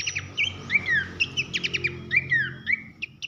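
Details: Short Horsfield's babbler (pelanduk semak) masteran in loud 'nembak nyiul' style: fast buzzy clicks interleaved with long falling whistles, steady background drone underneath.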